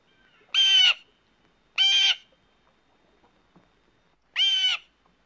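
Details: Blue jay mating call as labelled: three separate harsh, nasal jay notes, the first two about 1.2 seconds apart and a third after a longer gap, otherwise quiet.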